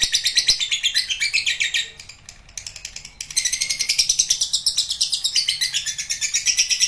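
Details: Lovebird performing a long ngekek chatter: rapid, shrill, buzzy notes pour out continuously, pause briefly near two seconds, then resume at full intensity to the end.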